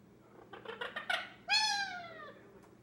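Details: Ten-month-old male Indian ringneck parakeet playing alone indoors: a run of quick stuttered clicks and chatter, then one drawn-out nasal harmonic note that slowly falls, like a mimicked word.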